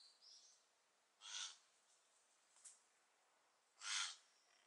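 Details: A young Lidth's jay (Garrulus lidthi) practising for fledging gives begging calls: two harsh, hissing, rasping calls about two and a half seconds apart, with faint high chips between, against a quiet background hiss.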